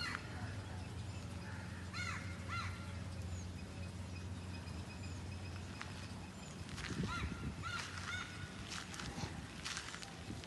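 Purple swamphen giving harsh, nasal honking calls in short bursts, some with a squealing upslur, over a steady low rumble of background noise.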